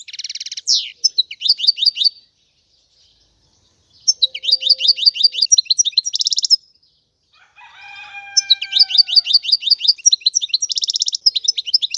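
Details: European goldfinch song in three fast, tinkling phrases of repeated metallic twitters and buzzy trills, separated by short silences, with a few drawn-out whistled tones between phrases.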